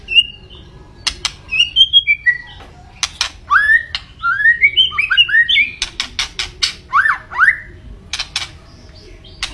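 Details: Singing white-rumped shama with clear whistled notes at varied pitches, clusters of rising slurs, and frequent sharp percussive clicks between phrases.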